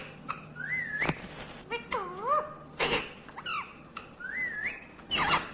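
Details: Talking Indian ringneck parakeet, a green parrot, with smooth whistled rising and falling notes and wavering speech-like harmonic phrases, broken by several sharp clicks in a quiet indoor setting.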